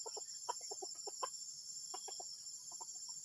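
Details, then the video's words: Junglefowl making an odd, disturbing sound: dense clusters of brief clucking notes, a pause mid-way, then softer scattered clucks, set against a continuous high-pitched insect chorus. "AYAM HUTAN SUARA ANEH PENGGANGGU"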